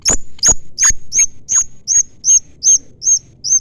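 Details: Long-tailed shrike, known locally as cendet, giving chirps used to call a rival. About ten sharp, high, whistled chirps come at roughly two and a half per second, the first ones with harsh lower bursts, then growing softer.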